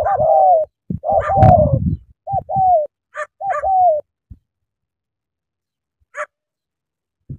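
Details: Spotted dove from Cà Mau, an eager cooer, gives about four clear mid-pitched coo notes, some with a gently falling tail, over the first few seconds, mixed with deep low thuds, then near silence with faint clicks.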